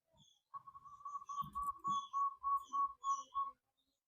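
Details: Zebra dove song, used as a lure to stir silent doves into singing: a steady run of about twelve mellow, evenly spaced cooing notes at one pitch, with faint high chirps of other birds behind.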